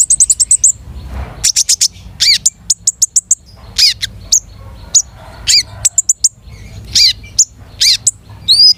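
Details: Long-tailed shrike singing with varied material: a rapid opening volley of very high chirps, then a pattern of loud downsweeping whistles and clipped high notes, given in separate bursts about every half second.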